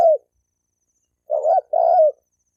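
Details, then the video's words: End of one coo, then a single two-part spotted dove phrase, a short burred note and a longer falling coo, used to provoke males and females to fight. "Tiếng chim cu gáy kích bổi kích trống mái gáy gù đánh nhau"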